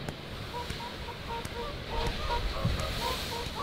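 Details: Whooper swans taking off at RSPB Minsmere give a busy chorus of short, bugling honks, overlapping several times a second, over a low rumble of wind, water and wingbeats.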